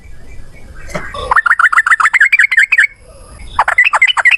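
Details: Yellow-vented bulbul male in fast, combative song: a run of bright, rising, slurred chirps about five per second, a brief pause, then another quick burst of similar notes.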